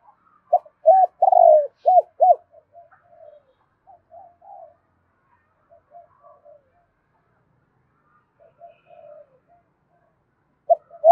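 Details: Fast 'kích bổi' cooing from a spotted dove: one loud phrase of a short note, a drawn coo and three clipped coos, followed by softer, more distant coos scattered through the rest, with a brief coo at the end.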